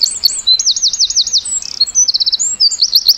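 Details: Winter-forest song of a Eurasian wren, a continuous high, bright outpouring of quick trills, rapid buzzy rattles and sharp whistled notes, loud and clear over a quiet low hum.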